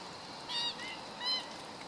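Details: Two short, nasal yelps from a black-winged stilt, filmed 17 August 2013, each a clipped harmonic note about two-thirds of a second apart, heard against a constant low hiss.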